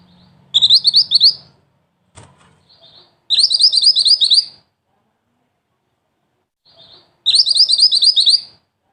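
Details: Scarlet-backed flowerpecker (mantenan) repeats short, piercing trilled phrases of rapid high chips, three main bursts about three seconds apart, interspersed with soft single ticks and a low hum at the start.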